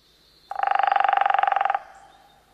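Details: A Hairy Woodpecker drums on wood to defend its territory and to communicate with its mate. It gives a fast, even roll of about 25 sharp, resonant strikes lasting just over a second, then stops abruptly.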